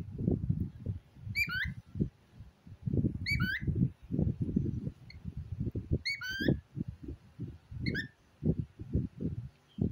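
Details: Cockatiel talking to its toy pig, giving short, sharp, wavering chirps roughly every one and a half to two seconds over steady low, mumbling voice sounds.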